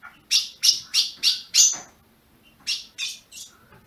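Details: Ultramarine grosbeak bred in captivity in Brazil, chirping to stimulate a caged bird: five loud sharp chips in quick series, a pause, then three softer chips.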